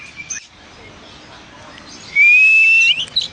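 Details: Oriental magpie-robin giving one long, pure, loud whistle that rises slowly, preceded by quiet background and a faint short note and followed by a couple of brief chips.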